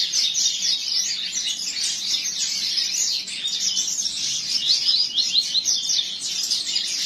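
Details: Tournament-style song of a captive double-collared seedeater from a breeder: continuous quick, high chattering phrases and trills, steady in loudness, with a short dip around the middle.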